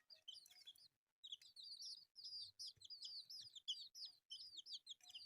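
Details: Several colourful baby chicks eating rice give a dense chorus of high, short, arching peeps, overlapping and repeated rapidly with brief pauses.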